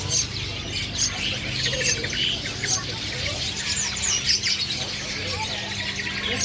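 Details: Long-tailed shrike of the black-headed form, a bird caught by luring during the season, giving energetic high chirps and squeaky, chattering notes in quick bursts, over a steady low rumble of background noise.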